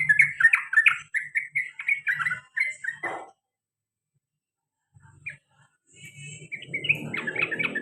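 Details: Male sooty-headed bulbul, a kept pet, singing in the long ropel and garuda styles. Bubbly, slurred whistles come in a quick run, then a pause, then a second burst over a low hum.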